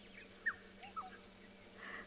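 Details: Black-headed Oriole calling in the background during a sunset game drive at Tswalu Kalahari Reserve, South Africa, on 29 September; two short, liquid whistled notes, each sliding downward, about half a second apart, over faint steady hiss.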